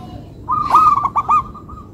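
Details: Single phrase from a local zebra dove: a quick series of bouncing, rolled coos over about one second, ending in a faint lingering trill.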